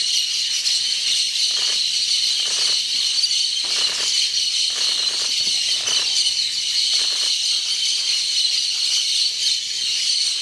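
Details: Hundreds of cobalt-winged parakeets gathered at a clay lick in the Ecuadorian Amazon: a deafening, dense, unbroken wall of shrill, high chattering and screeching, with brief rustling bursts throughout.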